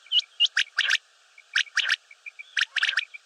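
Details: Common quail (batair) giving its clear three-part phrase, quick sharp pips in a triplet repeated roughly every second, with a few thin upslurred notes and soft chirps between the bursts.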